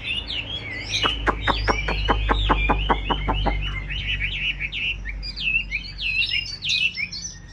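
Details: Caged Chinese hwamei opening with about a dozen rapid sharp notes, then switching to rich, varied, twisting whistled phrases with quick upward and downward slurs; low hum underneath.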